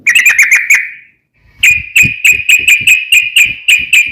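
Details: Yellow-vented bulbul, lure recording meant to make other bulbuls answer: a rapid chattering run fades out, then after a short gap comes a brisk string of bright, evenly spaced chip notes.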